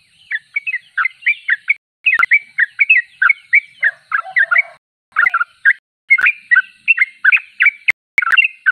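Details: Sooty-headed bulbul singing nonstop in fast bubbly phrases with short pauses, a lower tonal sound around the middle and several sharp clicks near the end.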